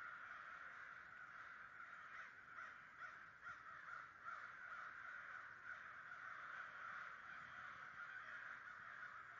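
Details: Large murder of roughly 100 American crows in New Jersey in 2011, cawing continuously; harsh, grating caws pile on top of one another into an unbroken, slightly pulsing chorus throughout.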